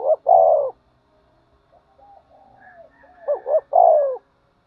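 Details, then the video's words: Spotted dove cooing while fighting and calling: two strong coos open, then softer faint coos, then a hiccupping double note and a long falling coo; quiet background. "cu gáy thúc đấu & gáy gọi"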